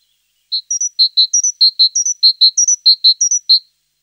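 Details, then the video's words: Song of a tit: a steady series of clear whistled notes, with pairs of lower notes alternating with pairs of slightly higher ones, repeated evenly for about three seconds in a quiet setting. "Голос Синицы."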